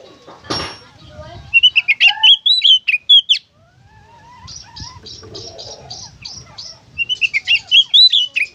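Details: Oriental magpie-robin (kacer) singing in energetic gacor konslet style, used to encourage other kacer to sing: loud, rich whistled phrases with sharp upward and downward slurs, a pause, then rapid buzzy rattling notes before more bright whistles.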